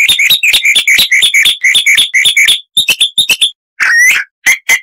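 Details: Chalk-browed mockingbird, harsh-voiced song used as a tutor recording for cage birds: a fast run of sharp, clipped repeated notes, then looser chattering phrases and a brief drawn-out buzzy note before more clipped notes.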